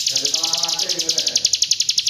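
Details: Hill prinia, East Java, delivering roll tembak song, a quick run of sharp high chips, roughly ten each second, with faint speech at the start.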